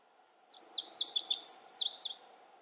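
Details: A Lazuli bunting, one of several singing nonstop at Camas Meadow, sings a bright high song about 1.7 seconds long: a fast series of slurred, descending sweet notes mixed with buzzier phrases, ending abruptly, with a soft steady background hum.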